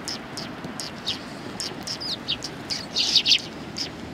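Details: Sparrows gathered on a shrine bench at Tenmangu, 21 January 2020, trade scattered sharp chirps, then a louder bright cluster of calls near the end, over steady low background noise.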